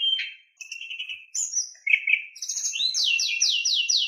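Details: Oriental magpie-robin song with harsh fill notes, played to stir other magpie-robins into singing: loud, varied chattering and whistled phrases, then a fast run of repeated high, swooping notes.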